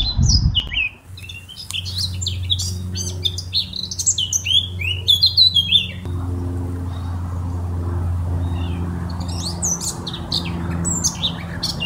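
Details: Eurasian blackcap pouring out a quick, scratchy-to-fluty warble, a long lively burst then a pause and a second outburst, accompanied by a steady low mechanical-sounding hum.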